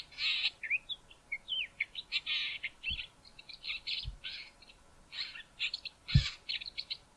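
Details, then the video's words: Male Southern Fiscal singing near Grahamstown, South Africa, on a mountain road: a run of soft, varied chirps and short warbled notes packed closely together, with a few low thumps underneath. "Southern Fiscal singing"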